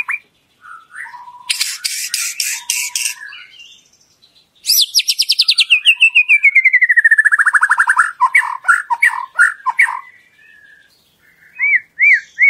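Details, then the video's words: White-rumped shama lure song to encourage other shamas to sing fully: scattered chips, a dense buzzy trill, then a long fast rattle sliding steadily downward, followed by sharp notes and arched whistles. "Pancingan Murai Batu Agar Bunyi Ngeplong"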